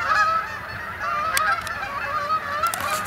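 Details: Canada geese flying in at dusk to spend the night on the main pond at Sapsucker Woods, Ithaca, New York, on 28 October 2017; a flock gives overlapping nasal honks, several birds calling at once with rising and falling notes.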